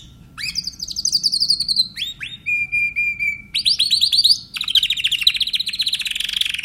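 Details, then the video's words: Timbrado canary in full song, with high rolled trills, short rising sweeps, a level pure whistled roll near the middle, then dense rapid rattling tours, clear against a quiet background. "canary timbrado"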